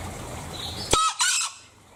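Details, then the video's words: Green junglefowl from Bali calling: a sharp, harsh two-part crow, a short rasping burst followed at once by a second longer one, with quiet background hiss before it. "Suara Ayam Hutan Hijau Bali"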